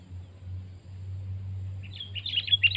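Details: Sooty-headed bulbul bursting into a rapid run of bubbly warbled notes in the last second, preceded by a constant low hum.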